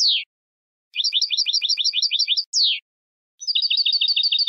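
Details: European goldfinch song used to train birds for song contests: bursts of quick repeated twittering notes broken by short descending slurred notes and brief silences.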